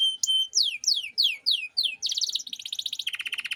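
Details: Canary song from a master recording for training young birds, 'cengkok mewah' style: a whistle and a sequence of loud sweeping downslurred notes, followed by fast rolling trills that drop slightly in pitch.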